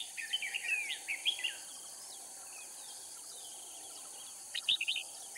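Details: Caged decoy red-whiskered bulbul from Cao Phong at Kim Bôi, Hòa Bình, Vietnam, right after rain; a rambling warbled phrase of chirps and slurs, a pause, then a short burst of sharp notes, with steady insect drone.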